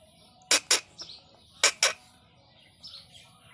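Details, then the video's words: A talking pet parrot named Misti rasps out two quick two-syllable words, a harsh, breathy 'mi-tu, mi-tu' repeated twice, with faint soft chirps between. "Talking parrot!! Mitu mitu!"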